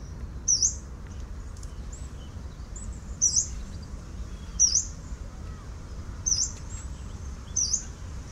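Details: Yellow-browed warbler recorded on 10 November 2018, giving five thin, very high, rising-then-falling whistled calls about every 1.5 seconds, each sharp and brief, over a steady low background rumble.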